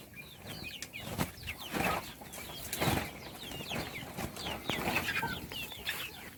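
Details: Chicks during feeding keep up continuous high chirps, thin falling peeps from many birds, broken by dull thumps and flutter-like bursts of noise.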